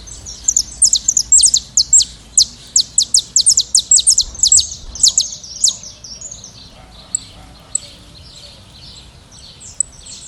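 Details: A wild saffron finch flock singing: a run of bright, evenly spaced high chirps during the first half, fading into soft, scattered twitters, over low background noise.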